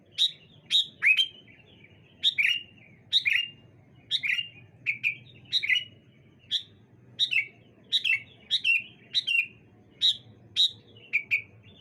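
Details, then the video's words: Sooty-headed bulbuls answering one another on a clear morning, a steady string of crisp chirps, each a quick drop sliding into a short level whistle, roughly one or two per second throughout. "Suara Burung Kutilang Saut Sautan ... Dijamin Langsung Nyaut Burung Anda"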